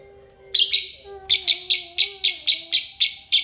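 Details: Lovebird of the euwing type giving ngekek song as a master bird: one shrill harsh burst, then a steady series of about nine loud scratchy chirps in quick rhythm, over a faint low steady tone.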